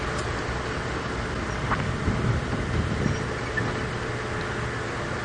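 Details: A vehicle engine drones steadily throughout during an evening drive, with low rumbling and no clear animal call.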